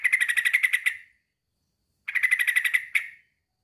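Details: Rival-calling male sooty-headed bulbul utters two rapid chattering bursts, each about a second of dense, buzzy repeated notes that fade at the end, separated by a silent gap.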